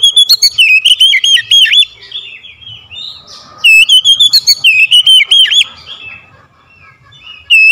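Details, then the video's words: Oriental magpie-robin lure song for birds slow to sing: bursts of quick, rolling whistled notes with sharp high ticks, two strong phrases split by softer twittering, and a fresh phrase starting at the end. "KACER PEMIKAT KACER MALAS BUNYI LANGSUNG TERPANGGIL IKUT GACOR"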